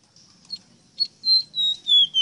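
A bird sings a run of high, clear whistles, each note sliding down slightly, four in quick succession after a couple of brief chips.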